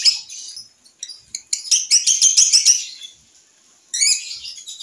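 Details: Young lovebird on a terrace, learning its sounds: broken bursts of high, sharp chirping, a denser run of rapid notes around the middle, pauses, and a final short burst.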